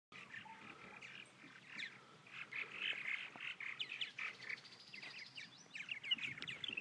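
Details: Purple Martins (Progne subis) in Elbert County, Georgia, in a busy chorus of overlapping chirps, gurgles and rattling chatter, rising and falling in bursts throughout with no pauses.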